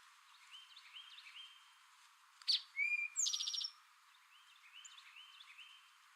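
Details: Eastern towhee, a male, sings a single "drink your tea" phrase mid-clip: a brief high chip, a clear falling-rising whistle, and a rapid buzzy trill. Softer, repeated warbled notes from another bird come before and after.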